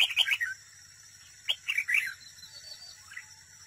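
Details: Decoy red-whiskered bulbul in a cage at a trap, singing competitively: a quick burst of bright warbled notes, then after a pause two more rolling, slurred phrases, with sharp clicks and a faint steady high hum.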